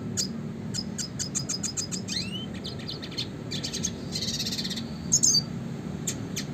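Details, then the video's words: Classic red siskin singing for songbird training: quick high twittering notes, a pair of rising whistled sweeps, then a dense buzzy burst and a sharp squeaky flourish, over a low background hum. "kicauan suara burung red siskin klasik gacor untuk pancingan dan masteran burung berkicau"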